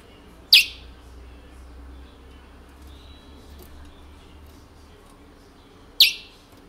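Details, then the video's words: Caged Picolette kept since 1986 in French Guiana, a bird with the regional Matiti song style, giving two sharp, falling chip notes about five seconds apart against a quiet, faintly humming room. "picolette curio regional matiti local guyane française"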